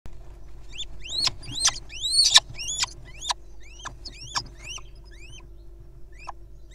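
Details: Little owl nestlings practising grappling and play fighting, giving high squeaky rising calls, some paired, in irregular bursts that peak mid-clip and then thin out, over a faint steady low hum.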